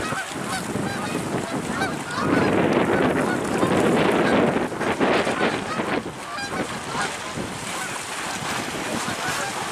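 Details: Many geese honking together as they fly from the ocean to a ballfield and on to a woodland pond in late November; a steady chorus of honks swells midway, over constant wind rush.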